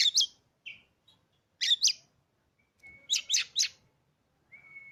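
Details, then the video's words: Caged Oriental magpie-robin, newly bought after refusing to sing for its first owner, utters clusters of two or three raspy notes, separated by short whistled notes and long thin level whistles. "Cocok untuk memancing Emosi burung kacer"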